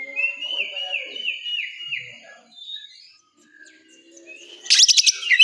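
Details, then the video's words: At a bird-singing competition, an oriental magpie-robin repeats a clear, sliding whistled note five times in quick succession, then goes quiet before a sudden loud burst of sharp chattering notes. "Suara kacer di area lomba"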